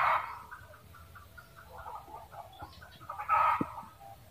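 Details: Cackling red junglefowl, with a brief harsh note at the start, a run of softer staccato clucks, then a louder rough burst past three seconds.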